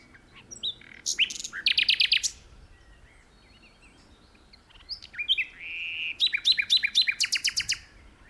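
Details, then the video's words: Common nightingale singing boldly from an open place in a tree. Two strong phrases sound about four seconds apart, each made of loud rattling, stuttered notes mixed with short whistles, including a rising slurred whistle before the second burst. "Nightingale Singing"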